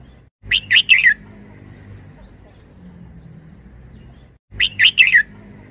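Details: Red-whiskered bulbul kept as a caged decoy bird repeats the same short warbled phrase twice, roughly four seconds apart. Each burst has several fast chirpy notes and finishes with a downward slur, against faint steady hum.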